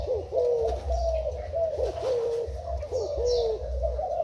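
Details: Decoy spotted dove of Thai type, dated 10/04/18, cooing in a low soft rhythm of short falling-and-rising notes, roughly one phrase per second, over a constant low rumble with faint distant chirps.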